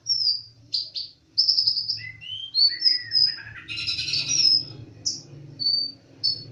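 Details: Konin dacok, the olive-backed sunbird, singing hard: a rapid stream of high whistles, buzzy trills and short sliding notes, some lower twittering mixed in, with a steady low background hum.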